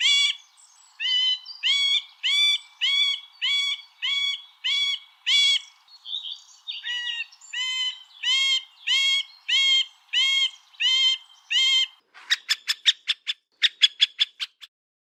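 Middle Spotted Woodpecker giving a slow series of nasal, whining quäk notes, about two per second, ending in a short burst of sharp, dry ticking notes.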